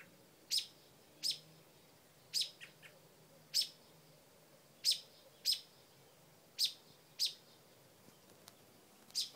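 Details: Mother bird nesting with new babies on a front porch, yelling at a dog to defend the nest; sharp, high chirps repeated roughly every second, some doubled, over quiet background.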